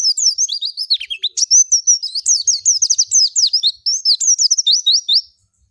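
An Oriental white-eye sings a rapid, high-pitched twittering run of thin slurred notes, tumbling continuously for over five seconds with no other sounds.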